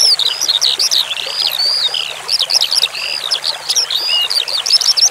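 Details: Skylark song from a masteran track of branjangan with running water. The notes are high, slurred and chirpy, poured out in quick clusters with tiny gaps, over a constant gentle flow of water.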